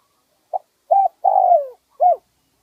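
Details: Wild spotted dove singing in the one-kuk style with a medium-pitched voice, recorded in 2020 for luring birds: a short soft note, then a cooing note and a long descending croon, ending with a final arched coo.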